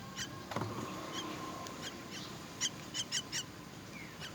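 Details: Myna chicks at feeding time give a few short, rasping high squeaks late on, after a quiet stretch with a low knock and faint background hum.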